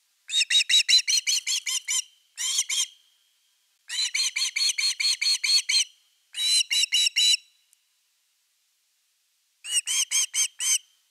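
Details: Shrill whistled chirps from an osprey at its Finnish nest on 30 August 2021, evening fish time, delivered in five uneven bursts of rapid notes broken by brief pauses.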